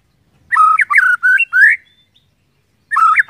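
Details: White-rumped shama song used as a lure to get other shamas singing: loud, clear whistled notes in four quick bursts, some rising, a pause, then another whistled burst.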